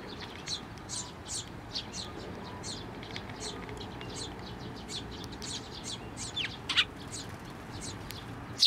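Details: Eurasian tree sparrows, with one chick, flying onto a hand for food at a Tenmangu shrine on 17 May 2024; soft high chirps overlap throughout, with two louder sharp downward-sweeping notes near the end.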